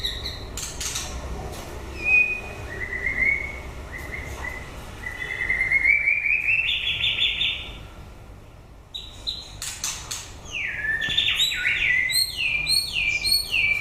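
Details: White-rumped shama singing as the breeding season ends: long level and rising whistles, then after a pause a fast cascade of repeated downslurred notes, with sharp clicks scattered throughout.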